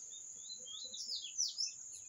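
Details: Bird song: high, sweeping chirped phrases that rise and fall, loudest near the end, over a constant shrill high-pitched drone and faint low background rumble.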